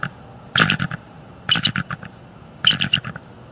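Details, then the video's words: Bald eagle female at a northeast Florida nest, alerted in the middle of the night and defending her eggs by vocalizing and wing slapping at a threat; three short bursts of harsh, rapid chattering notes, each about half a second long. "Gabby defends the eggs and nest."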